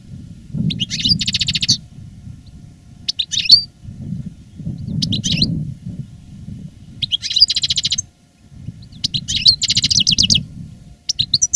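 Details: Caged master goldfinch of the reclamo song style, heard live in 2017 as it gains strength after moulting: repeated short phrases of bright, rattling, buzzy chatter separated by gaps of about one to two seconds over low hum.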